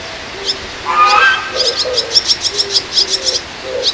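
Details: Young swallows, one at the right end restless and noisily calling, with short high ticking notes in quick irregular bursts and lower buzzy notes between them.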